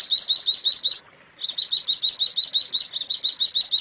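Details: Long-tailed shrike song used as a tutor recording for training captive birds: rapid, looping high whistled phrases repeated steadily, broken by one short silent gap, with no other sounds.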